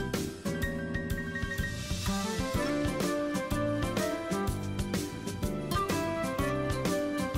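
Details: Bright mallet-percussion music with marimba-like notes plays throughout, and no animal voice can be picked out.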